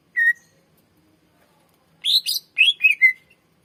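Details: Greater green leafbird song, a 'gacor' long-singing bird, used to lure and train other birds: one clear whistle, a pause, then a burst of bright chirpy, slurred notes.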